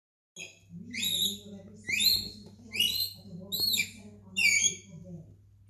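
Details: A pet lorikeet calling from its house gives five shrill, screechy calls about one per second, with a low steady hum and faint speech in the background.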